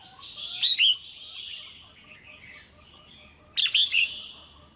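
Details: Caged female red-whiskered bulbul calling to stimulate a male or for pairing: two clear bursts of two to three whistled notes about three seconds apart, over soft continuous twittering.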